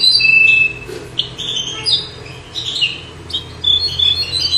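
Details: Bouh bird song for tutoring goldfinches, a widania phrase completion. Continuous high, varied twittering with sharp whistled notes and short rattling trills, rising and falling in bursts, over a low steady background hum.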